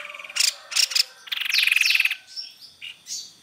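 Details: White-necked babbler used as a lure recording: a short series of sharp high chirps, then a fast even trill of bright notes for about half a second, followed by softer scattered twitters.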